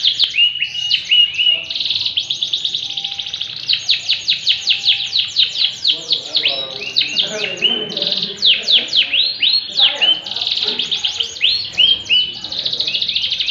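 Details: Yellow canary in full, energetic song: long runs of rapid high trills and rattling rolls, switching between fast repeated notes and sustained warbled passages without pause.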